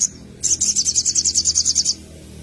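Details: Little spiderhunter singing for use as a bird lure: a short burst of about fourteen rapid, shrill high notes in even rhythm, lasting around one and a half seconds.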